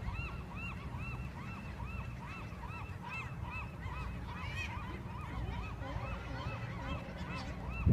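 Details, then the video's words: A flock of marbled godwits in flight on a fall day in Westport gives a steady stream of nasal, arched, honking calls, several birds overlapping, over a low rumble of wind. "Marbled Godwit in Flight"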